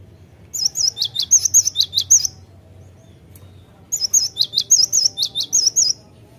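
A cinereous tit sings two quick bursts of high, bright, repeated notes, about nine to a burst, separated by a short pause. A faint low hum runs underneath.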